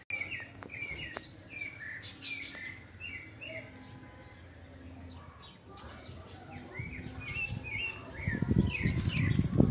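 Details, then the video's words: Sabiá thrush recorded in August 2020 at 5:30 in the afternoon by a flowering avocado tree. It gives strong, quick, slurred whistles in a steady string, with low background rumble and a closing burst of noise. "CANTO DO SABIÁ AO VIVO"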